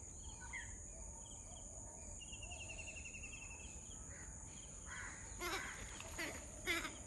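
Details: Grey-headed swamphen on a lily pad giving three harsh, nasal squawks near the end, over a steady high insect drone and faint chirps from smaller birds.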